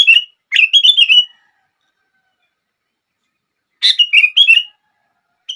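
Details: Sooty-headed bulbul singing to provoke other bulbuls into song: three bursts of bubbly phrases, each a scratchy note followed by liquid rolling whistles, with a long quiet gap in the middle.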